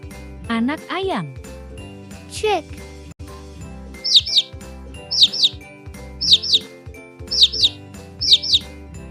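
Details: Young chicken chick peeping: after a few spoken words, high, thin, downward-sliding chirps arrive in quick pairs about once a second, over steady children's background music.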